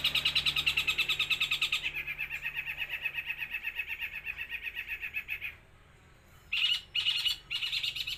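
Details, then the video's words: Loud 'los trotol' song of a long-tailed shrike: a rapid, steady, grating rattle for over five seconds, then a brief pause and three short harsh bursts. "BURUNG CENDET GACOR SUARA LOS TROTOL"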